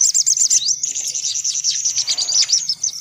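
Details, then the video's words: Lure recording to attract sunbirds: thin, high chirps in a fast, jittery stream, with some sliding notes and a soft low hum in the background. "Suara Pikat Burung Kolibri Paling Manjur"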